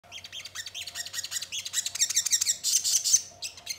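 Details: Crimson sunbird song used as a lure to make other birds sing and answer: a rapid run of thin, high chirps and short descending twitters, about two or three per second, growing into a dense shrill burst near the end. A faint low hum sits underneath.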